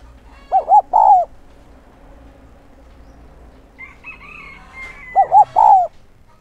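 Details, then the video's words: Decoy spotted dove giving its 'son'-voiced 'thúc' and 'gáy gọi' calls meant to lure wild doves: two low, hollow three-note cooing phrases, the last note drawn out, separated by a pause in which another bird whistles higher and thinly. "Chim cu gáy mồi giọng SON chuẩn THÚC và GÁY GỌI kích bổi nhanh nổi hiệu quả"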